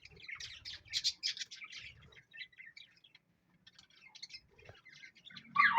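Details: Burst of high chirping from a parrot, then sparse squeaks and soft chatter, ending in a loud harsh squawk.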